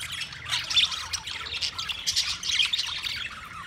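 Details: Budgies, Australian parrots, recorded 13 March 2024, chatter together in a steady mass of high warbling chirps and scratchy squawks with no pauses.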